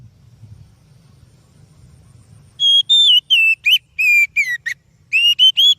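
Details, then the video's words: Oriental magpie-robin singing as a lure for other birds: after a quiet start with low hum, a fast series of clear, slurred whistles, some rising, some falling, delivered in short bursts. "Suara Burung Kacer Yang Sangat Indah,Cocok untuk Pancingan"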